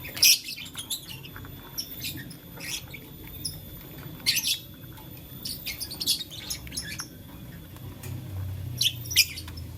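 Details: Lovebirds of blue, lutino and green colouring, at play with a flower, make bursts of short high shrill chirps spaced irregularly every second or so, over a constant low indoor hum.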